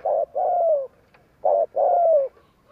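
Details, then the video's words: Close spotted dove giving its 'gù kích' provoking coo: two phrases, each a short note then a longer coo that slides gently downward, with a brief pause between. "Tiếng cu gáy gù kích chuẩn / Chim cu gáy gù kích bổi chuẩn nhanh nổi / Cu gáy gù phóng"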